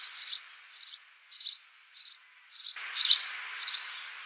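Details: A house sparrow in Australia, December 26, 2015, gives about seven short, bright chirps, one roughly every half second, over a steady hiss of background noise that grows louder partway through.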